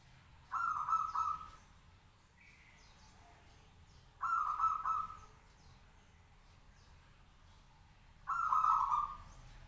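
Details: Caged local zebra dove singing to set off replies from other doves; three bright trilled coo bursts spaced roughly four seconds apart over quiet background.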